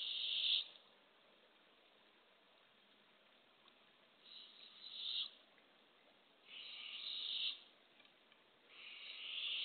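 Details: Barred owls at a nest box on an April 27, 2024 early morning, a female bringing a baby opossum to hungry owlets: four harsh, hissing rasps, each under a second, spaced irregularly over quiet background.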